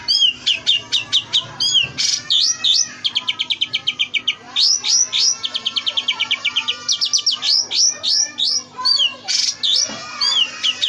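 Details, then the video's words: Oriental magpie-robin training song full of fill-ins: rhythmic bursts of fast repeated high notes, sharp upslurred whistles and quick rattling runs, continuous and loud, with changing phrase types every second or two. "masteran Kacer full isian mewah"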